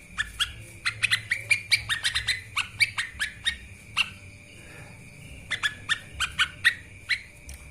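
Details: Lesser green leafbird pouring out a busy stream of sharp chirps and rapid slurred whistles on a master recording meant for training birds, then a short pause before another fast burst.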